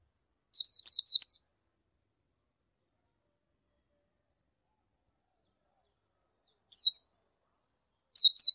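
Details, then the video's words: Indian white-eye giving a quick burst of four high, sharp down-slurred chirps, followed after a long pause by a single chirp and another short pair; no other sounds. "Oriental White Eye Bird Call"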